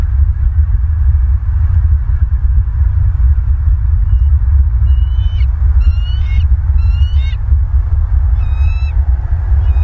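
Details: Bald eagles at their nest in Southwest Florida, 22 November 2022 at 18:52, picked up by a nest camera: a run of thin, high, piping chirps in quick groups over a heavy, steady low rumble of wind.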